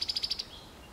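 A cowbird gives a quick chatter of six sharp, high notes packed into under half a second, followed by quiet background hiss.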